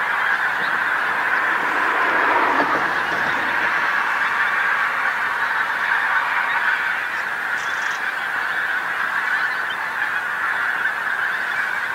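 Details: Large numbers of pink-footed geese landing on a field beside the coast road, North Norfolk, England, as the sun goes down; continuous babble of honking calls from many birds, loudest at the start.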